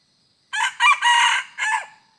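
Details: A red junglefowl crows on 2 November 2021 while wild junglefowl are lured with a decoy: harsh, loud four-syllable phrase, short, short, long and sustained, then a downward-sliding final note, in clean quiet surroundings.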